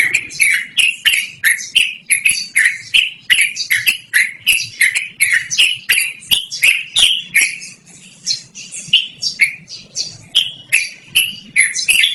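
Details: Long, loud song of a yellow-vented bulbul (trucukan), intended for luring or training birds; a continuous rapid string of bright, chirpy notes, close to three a second, briefly softening near the middle.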